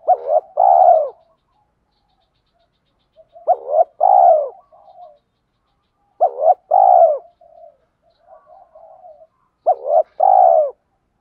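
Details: Spotted dove calling, a recording of male and female doves used to stimulate birds in training: four strong two-part coos roughly every three seconds, each a brief lifted note then a long resonant coo, with faint soft coos between.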